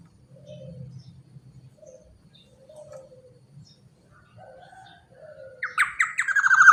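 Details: Black-naped oriole, a large bird calling energetically as a lure for other orioles: several soft, short whistled notes, then a loud harsh nasal call that swells at the end.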